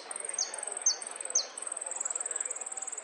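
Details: Saffron finch song of the golpes, pitadas y prio type: a sustained, very high, rapid trill of regular ticking notes, broken three times by bright whistles sliding steeply downward, then a long unbroken trill to the end.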